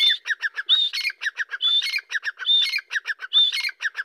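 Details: Excited Dakkni grey francolin giving its call. Loud, grating notes in a steady series, with a clear high whistled note starting each phrase, roughly every 0.8 seconds. The background is quiet.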